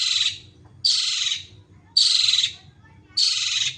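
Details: Long-tailed shrike giving loud, harsh, buzzy rasps, each lasting about half a second and repeated roughly every 1.2 seconds.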